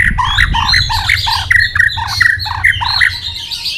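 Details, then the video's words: White-rumped shama singing competitively with rapid tail flicks, giving loud repeated clipped notes in quick succession, each a short whistle with a squeaky top, forming a steady chattering run over faint low rumble. "chòe lửa hót nhấp đuôi tốc độ. kích chòe lửa hót đấu ức chế."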